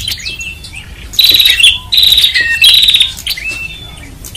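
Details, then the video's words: Prinia calling noisily for luring: soft thin whistles at first, then three loud rasping trilled bursts with clipped whistled notes between, fading back to faint whistles at the end. "Prenjak Ribut Terbaru 2021 | Suara Jernih Audio Keras."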